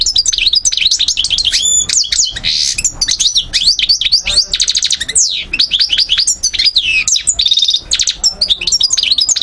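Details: Continuous goldfinch song, race parva, Algiers, Algeria, 2012: high tinkling notes, sharp upslurs and downslurs, short mechanical rattles and a couple of buzzy, nasal passages woven through nearly ten seconds.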